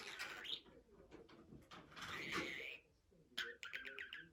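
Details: Budgerigar making continuous scratchy, speech-like warbling with a drawn-out buzzy phrase in the middle, then a rapid run of clicking chirps.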